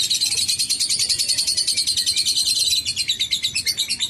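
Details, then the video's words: Lovebird chattering in a long ngekek: dense, high-pitched, rapidly repeated notes forming a steady rattling trill throughout, slightly softer toward the close. "Terapi Burung Lovebird Agar Ngekek Panjang"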